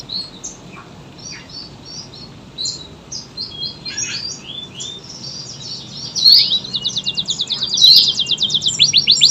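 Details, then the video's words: AF canary in lengthy, tight-burst song. Faint scattered chirps open over background hiss, then a louder, rapid, even trill of high pulses takes over in the second half. "KENARI AF GACOR, durasi panjang tembakan rapet"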